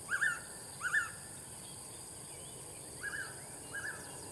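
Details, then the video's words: Blue-winged pitta calling: two loud double-noted whistles, each a short rising note joined to a second clear note, given about 0.7 seconds apart, then two fainter repeats later; a steady high-pitched hiss runs throughout. "Suara Burung Paok Sayap Biru"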